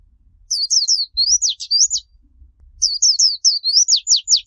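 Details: High Japanese white-eye song in the líu chòe style, used to train young birds to sing: two bursts of fast, sweet slurred whistles ending in a run of steeply falling notes.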